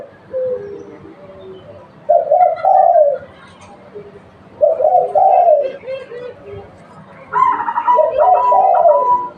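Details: Local spotted dove used as a lure, cooing in three separated bursts: low, hollow, slurred notes that rise then fall, repeated every two to three seconds over quiet background with a faint higher chirp at the end.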